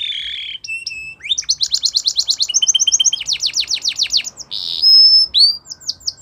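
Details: Belgian canary singing a varied training song: a warbled opening, rapid buzzy trills, sweeping rolls, a steady high whistle and closing upslurred notes, with faint room noise beneath.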